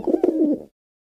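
A dove gives a brief, low, soft cooing phrase of a few throaty pulses, ending in a short drawn-out note; silence follows.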